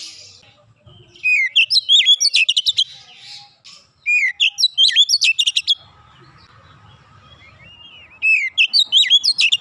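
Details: Oriental magpie-robin (kacer) song in the dense 'nembak rapat' style, used to get untrained birds singing. Bursts of sharp whistled and buzzy notes, rising and falling, repeat in fast runs of about a second, separated by short pauses.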